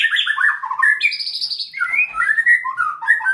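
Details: White-rumped shama in training as a fighter bird, delivering a rich, continuous song of varied whistled phrases, some sliding down, others sharp and high, barely pausing between notes.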